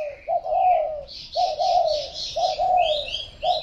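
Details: Spotted dove repeating a soft, low three-part coo phrase roughly every second, each phrase sliding slightly downward, with a faint higher bird chirping in the background.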